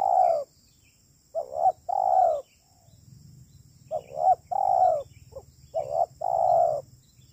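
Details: Spotted dove calling as a trapping lure: phrases of mellow, slightly wavering coos in twos and threes separated by short pauses, with a low background rumble and faint steady high tone.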